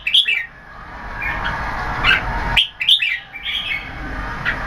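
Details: Red-whiskered bulbul (jambul) with growing tail feathers, a keke competition bird; sharp rising whistles at irregular intervals over a steady background hiss.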